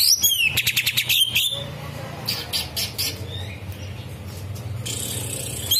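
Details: Green leafbird giving kapas tembak filling in its song: a short burst of fast high trilled notes at the start, then scattered faint high chips over low rumbling background noise.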